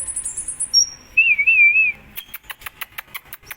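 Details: Kolibri ninja from Indonesia, a hummingbird singing vigorously in contest form: a high thin note, then a wavering whistle, followed by a fast series of sharp clicking ticks repeated about three times a second.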